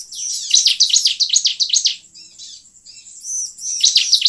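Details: High-pitched bar-winged prinia song meant to lure wild prinias. A run of rapid, buzzy chirps lasts about two seconds, then comes a quieter gap, then another chattering burst with looping whistles above.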